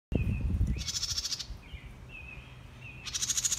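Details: A House Wren scolding the recordist gives two harsh, buzzy rattling scolds, each under a second, with thin, faint whistled notes between them and a brief low rumble at the start.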